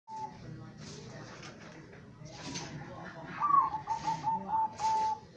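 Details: Captive zebra dove (perkutut) gives a soft, beaded cooing phrase of rapid staccato notes at a steady mid pitch, with faint voices and room noise behind.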